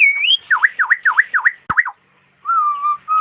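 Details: Nias hill myna song from a training recording meant to encourage cage birds to sing: a rapid series of five clear whistled V-shaped notes, then a short gap and two level, steady whistles.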